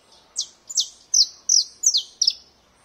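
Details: Domestic canary song phrase: six bright, high notes, each sweeping steeply downward, spaced about a third of a second apart in a steady, even series against a quiet background.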